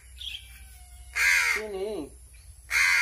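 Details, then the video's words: A famished crow being hand-fed gives one harsh, raspy caw that trails into a wavering, lower whining note, then a second loud caw follows after a short pause. "BURUNG GAGAK KELAPARAN"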